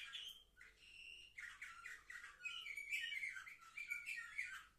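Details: Canaries aged seven months, recorded 10 November 2023, sing a rich run of clear whistled notes, fast rolling trills and chattering twitters with barely a pause throughout.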